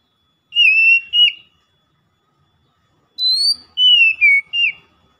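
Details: Loud, chatty Oriental magpie-robin (kacer) daily lure song: a short pair of falling whistled notes, then after a pause a longer phrase of four ringing, slurred whistles.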